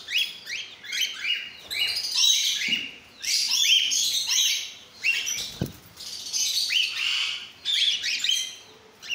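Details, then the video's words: Several cockatiels of different mutations together, producing clustered high chirps and harsh squeaky notes in bursts, with a brief low thump midway. "Cocktail Sound"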